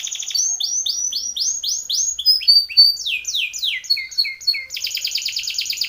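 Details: Timbrado canary training song made of repeated downward-slurred whistled notes, several changing rolled phrases at different pitches, then a fast, dense buzzing trill, all loud and clear.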